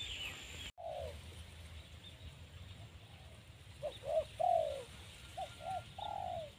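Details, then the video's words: Spotted dove, a newly caught bird paired with an older one to train it to call readily on a branch as a decoy; soft, low coos in short groups after a knock, over steady background hiss. "Oke teman-teman, ini kita akan melatih tekukur baru ya teman-teman, dengan cara menggandengnya dengan yang lama"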